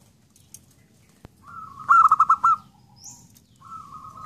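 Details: Zebra dove: a soft drawn-out coo leading into a quick burst of five pulsed notes, then a fading tail note, with faint chirps from other birds around it.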